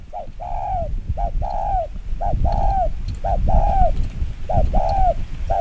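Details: Spotted dove giving a very fast 'chiêu gù kích bổi' coo meant to provoke wild doves. Quick paired coos, one short and one drawn-out and slightly falling, repeat about every second over a steady low rumbling background.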